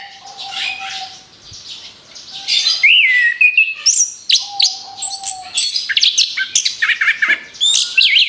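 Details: Orange-headed thrush song used as a lure for other birds: quiet phrases at first, then from about two and a half seconds a loud, rapid run of varied high whistles, chirps and slurred notes, with a faint low steady tone beneath.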